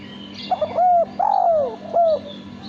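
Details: Male spotted dove cooing cleanly at close range: brief soft opening notes, then a smooth downward-sliding coo, a longer falling note, and a final shorter coo, with a constant low hum behind.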